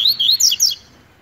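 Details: Tui tui song style from a brown-plumaged double-collared seedeater in competition, a short, loud phrase of high sliding whistles rising into sharp, very high notes, ending abruptly in quiet.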